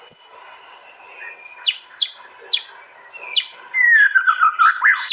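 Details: White-rumped shama (murai batu) from East Java, Indonesia, singing fierce 'tembakan' bursts at a contest pole, recorded on an Android phone: sharp descending whistled notes spaced about a third of a second apart, then a rich tumbling warble with slurred falling phrases.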